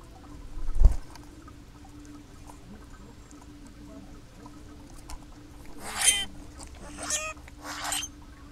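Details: Common Grackles in a group, native to the Americas: a dull thump near the start, a long quiet stretch, then three short raspy, scratchy squawks roughly a second apart toward the end.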